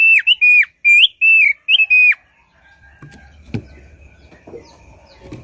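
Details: Thick-billed white-eye song used as a lure for other birds: a quick series of six loud, clear whistled notes, each slurring down, over two seconds, then faint rustling and thumps.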